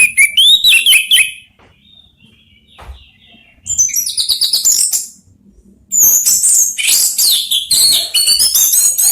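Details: Three orange-headed thrushes answer each other, sung as a lure to draw replies. Loud, varied bursts of high whistles and rapid chirps come in three phrases separated by short quiet gaps, with overlapping voices in the last phrase.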